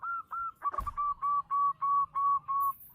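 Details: Local Indonesian zebra dove, described as a loud and frequent singer, gives a steady series of about eight hollow, even coo notes. One sharp click interrupts early in the series.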